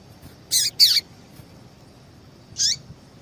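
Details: A female yellow-bellied seedeater calling to provoke a male's song for singing contests: a quick pair of loud, slightly descending chips, a pause, then one more chip, against a thin steady hiss.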